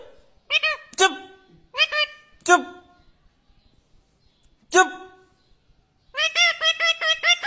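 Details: Indian ringneck parakeet talking: short bursts of harsh, speech-like syllables with rich harmonics, separated by pauses, then a rapid run of six quick repeated syllables at the end.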